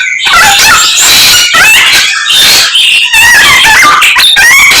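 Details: Samyong bird pouring out a song imitating many other species: bright chirps, quick whistled slurs and scratchy trills packed tightly together, with short gaps between bursts.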